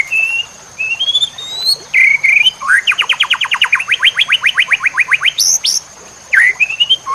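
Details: White-rumped shama training masteran, full-fill style: clear rising whistles, then a long rapid run of about twenty steep upswept notes, sharp high squeaks, and more whistles. A steady thin high tone runs beneath.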